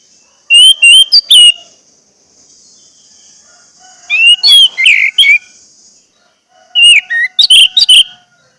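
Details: Orange-headed thrush song used as a pancingan lure to get silent birds singing: three bursts of loud, clear whistled notes, some rising and some dropping, separated by pauses of about two seconds, over a faint steady high hiss.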